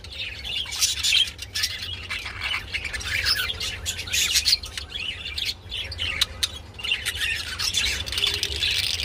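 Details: Budgerigars, described as mating and giving mating calls, chatter in fast, continuous warbles of high chirps, squeaks and short squawks, with several birds overlapping over a faint low hum.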